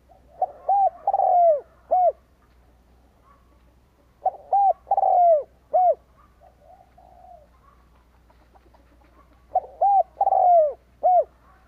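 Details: Caged spotted dove used as a decoy to lure wild doves in Vietnam, cooing in three phrases several seconds apart, each a quick soft note then long, husky falling coos ending in a clipped final note.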